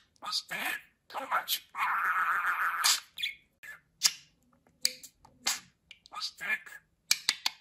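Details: Talking budgerigar: a long hoarse drawn-out syllable following rapid rasping chatter, then sparse clicks and short scratchy word-like notes.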